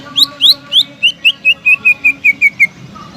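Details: Greater green leafbird singing loudly to stimulate a leafbird that has gone silent: about thirteen evenly spaced whistled notes, the first rising and sharp, the rest sliding to a lower, steadier pitch.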